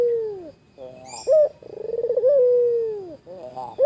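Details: White Barbary dove calling to tease a rival. A long coo fades downward, then a brief sharp note. A beaded, rolling stutter swells into a sustained, gently falling hum, and short clipped notes break in between.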